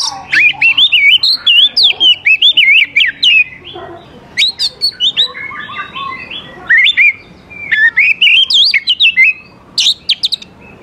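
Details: Oriental magpie-robin singing vigorously, used to lure young wild birds into answering and singing; rapid bright whistled phrases of swooping, warbling notes and sharp high chips, delivered in bursts with short pauses near four and seven seconds.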